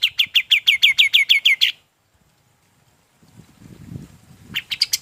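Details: Golden-bellied gerygone song recorded as tutor material for other birds: an even run of about twelve sharp, bright notes in under two seconds, then a pause, low rumbling noise and a fresh quick burst.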